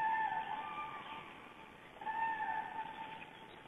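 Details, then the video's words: Cranes flying over a Black Stork nest in Estonia in mid-April, calling in loud, drawn-out harmonic trumpeting notes, one long call followed by a second after a short pause, over steady background hiss. "Cranes flying over the Black Stork nest"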